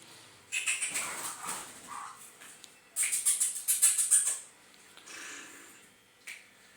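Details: Grey francolin (Ortygornis pondicerianus), call.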